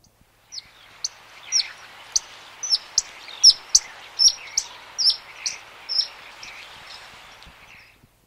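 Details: Pied kingfisher flight calls at Kotu Stream, Fajara, The Gambia: sharp, high chittering notes, about one or two a second in an uneven series, over a steady soft hiss.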